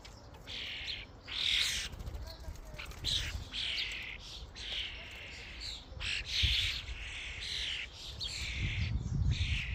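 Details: Starlings gathered in a flock at a feeding station, with overlapping rasping and squeaky chatter in uneven bursts and a low rumbling noise that grows near the end.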